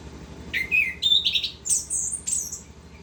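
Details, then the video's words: Rapid, unbroken warbling from an orange-headed thrush singing continuously: slurred whistles dropping and rising, then very high piercing notes, each phrase flowing into the next against a soft background hum. "Anis kembang gacor ngerol"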